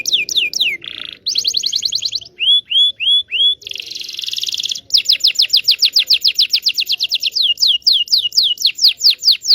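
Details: Local Indonesian canary song for training young canaries and reviving quiet ones. Varied phrases: quick sweeping notes, a buzzy trill, three upward-curling whistles, a harsh rattle, then a long rapid series of repeated chirps.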